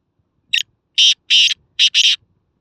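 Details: Grating call of a black francolin in Khushab: five harsh, buzzy notes in a short-long-long, short-long rhythm, loud against quiet surroundings, with a faint thump at the end.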